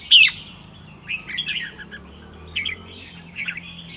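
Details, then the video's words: Morning song of a caged red-whiskered bulbul: one loud, sharp whistled note opens, followed by softer, scattered chirpy whistled phrases at intervals of about a second over quiet background. "เบิ้ลร้องริก ยามเช้า"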